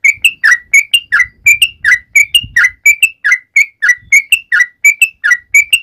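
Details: Calling to its companions, a sooty-headed bulbul gives an unbroken stream of loud, clear whistles, each short note slurring up or down, repeated briskly about every third of a second.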